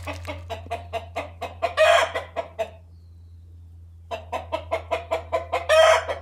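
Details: Young domestic rooster, kept at home with a hen of the same age, calling non-stop as she prepares to lay; quick, evenly spaced clucks accelerating into a long, harsh drawn-out note, repeated twice over a steady low hum.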